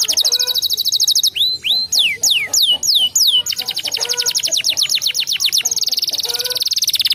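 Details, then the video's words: Song of a canary, used to prompt a lazy canary to sing: a high even trill, then a run of loud sweeping downslurred whistles, followed by rapid buzzy trills and a final dense high rattle. "Ampuh Pancing Kenari malas bunyi"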